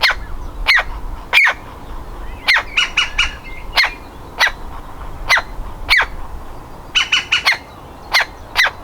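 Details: Baby woodpecker in a nest hole, ready to leave at any moment: harsh, rasping calls repeated at uneven intervals of roughly half a second to a second, with short rapid clusters.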